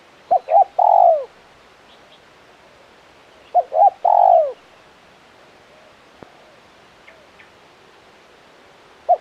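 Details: Spotted dove (tekukur), a strong-calling bird in the KUK 1 style, gives a three-part coo: two short notes then a long, falling, slightly rough coo, repeated twice about three seconds apart over a quiet background.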